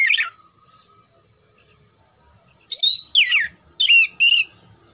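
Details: Oriental magpie-robin (kacer) song for training competition birds: a brief falling whistle, a pause of over two seconds, then four quick loud phrases of sliding whistles and rough buzzy notes.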